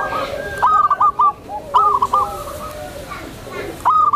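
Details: Gentle rolling coos of a tame zebra dove kept to lure other zebra doves, three stuttered phrases with quiet pauses.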